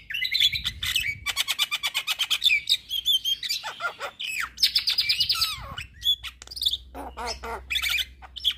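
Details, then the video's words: Javan myna, a prized champion bird in full voice, chattering nonstop: a dense run of sharp clicks and rapid trills, whistled rising and falling notes, and buzzy repeated bursts high in pitch. "Masteran Juara Burung Jalak Kebo Gacor Tak Henti Henti Ngoceh Seharian"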